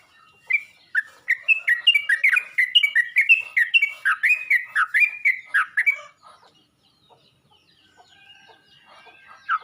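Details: Yellow-vented bulbul calling other bulbuls: a rapid, tumbling sequence of bubbly chirps for about five seconds, then near quiet with faint distant notes and one last chirp at the end.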